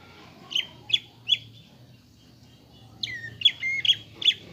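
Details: Greater green leafbird, a caged bird, lure song meant to provoke a fighting mood: two bursts of sharp high chirps and short whistled notes, three then five, separated by a pause, with faint low hum beneath.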